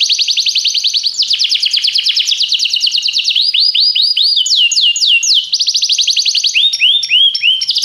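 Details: Continuous canary song used for training: dense, loud high trills shifting between fast rattles, drawn-out sweeping notes and quick downslurs with no break.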